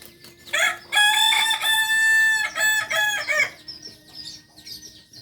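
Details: Kokok Balenggek singing rooster from Solok, farm-raised in Solok city: long multi-step crow broken into several rising and falling segments over nearly three seconds, followed by high chirps of small birds and a low background hum.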